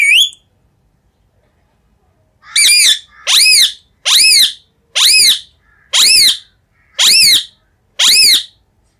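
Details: Rose-ringed parakeet giving a series of seven loud, harsh, rising-then-falling screeches, about one every 0.8 seconds after a short opening squawk and a two-second pause; no other sounds.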